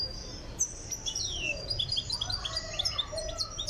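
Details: Goldfinch from Tiaret, Algeria, being prepared for singing, pouring out a dense stream of bright twittering notes, rapid chips and descending buzzy slurs with barely a pause, over faint low hum.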